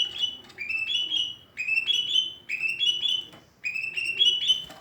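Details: Greater green leafbird with an unusual, trending voice: bright whistled phrases of quick rising and level notes, each phrase about a second long and repeated with short pauses between them.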